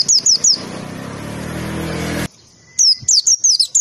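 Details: White-eye performing 'tembakan' masteran song for training: a few high downslurred whistles, then a harsh burst of broadband noise, then quick sharp descending notes resume.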